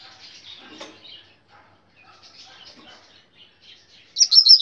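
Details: Rusty-collared seedeater, a brown-plumaged male, singing soft, scratchy twittering notes, then a sudden loud burst of high, rapid, ringing phrases at the end.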